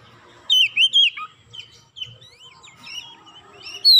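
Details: Provoked Oriental magpie-robin giving three loud looping whistles, then softer chirping fragments and a sharp high note at the end.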